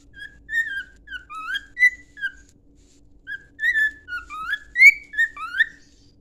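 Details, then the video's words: Domestic cockatiel whistling a song for training, two lively phrases of gliding, rising and falling whistles separated by a brief quiet gap, sound clean over near silence. "Canto de calopsita para treinar"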